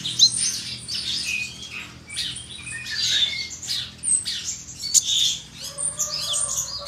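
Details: Oriental magpie-robin in full song with learned filler phrases, provoking rival magpie-robins: harsh, scratchy high bursts and squawky notes in irregular phrases, ending with a few lower whistled tones.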